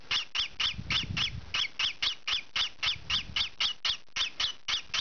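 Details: Noisy young peach-faced lovebird, green pied colour, scratching indoors; rapid series of harsh, nasal squawks, around eighteen, with low thumps of movement underneath.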